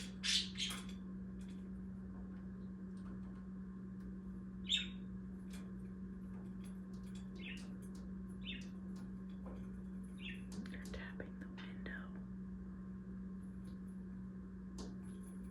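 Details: Two pet budgerigars indoors give brief, scratchy chirps and squawks at irregular intervals over a steady indoor hum.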